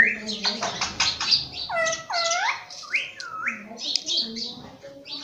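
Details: Pet ringneck parrot talking, repeating words like mummy and papa: a run of harsh chirps, then several clear rising-falling whistled syllables in quick succession, with squeaky high notes between.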